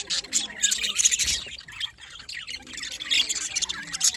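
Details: Budgerigars at morning time in Larkana, Sindh give rapid twittering chirps and bright squeaks in overlapping bursts, fading slightly mid-way before a renewed burst of chatter.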